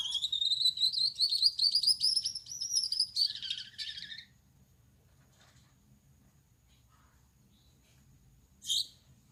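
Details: Male Gouldian finch, colored yellow on the back, red on the head and white on the chest, singing at night; high buzzy rising phrase with fine rapid pulses, a lower grating ending, then quiet and one short chirp.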